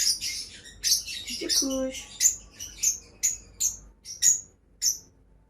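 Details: Two pet lovebirds making sharp, high chirps repeated roughly twice a second in a steady series, with a brief low human sound early on.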